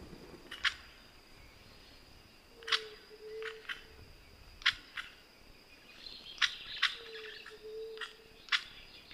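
Crested oropendola giving sharp, dry chack notes every second or two, with two low, smooth hollow notes; a steady high insect whine continues behind.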